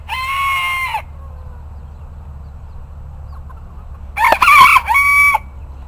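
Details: Bantam roosters crowing: a loud, strained crow held for about a second opens, then quiet low background hum, then a second crow in two broken, harmonic-rich phrases.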